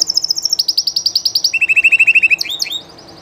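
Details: Live Spanish Llarguet canary: a pulsed high trill steps down twice in pitch, each tier a string of quick even notes, then closes with a couple of crossing slurred whistles before falling quiet.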